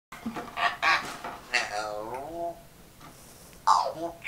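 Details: An African grey parrot says "I'll whoop your butt" in a few quick, voice-like phrases, ending in a drawn-out falling syllable and a final short burst, in a quiet room.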